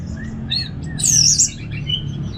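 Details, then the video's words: Short snatch of orange-headed thrush ngeplong song, with soft whistles leading to one loud, high, rapidly wavering phrase, then quieter notes over low background hum. "$uara ANIS MERAH Ngeplong Santai"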